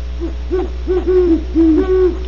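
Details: Great horned owls at Audubon Starr Ranch, California, hooting in a run of low, soft notes, several overlapping, steady and slightly arched in pitch, against a constant low electrical hum.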